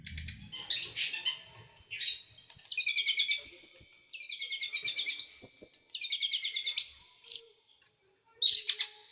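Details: Sharp, rough bursting song of a small bird used to train caged songbirds: scratchy opening notes, then repeated phrases of high clipped notes dropping into buzzy trills, pausing between bursts.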